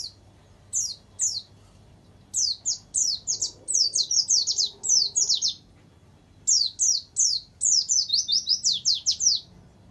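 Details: Caged warbling white-eye tutoring recording mixing canary phrases: fast runs of high descending whistled notes, separate notes first, then dense chattering trills in two long bursts, with a low background hum.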